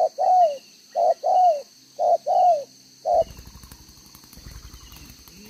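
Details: Spotted dove with a two-row spotted collar cooing in the 'đồng gáy 1 hậu' style, 11 June 2023; several paired coos, short then long and falling, before the calls stop and crackling handling noise takes over.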